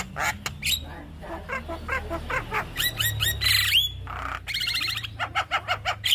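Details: Javan myna song meant to coax young birds into singing: scratchy notes, then a clear rising whistle, followed by a quick series of bouncy repeated chirps and sharp clicks.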